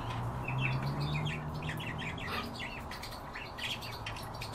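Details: Several European bee-eaters uttering overlapping short, rolling, trilled chirps almost continuously, with a low steady hum underneath.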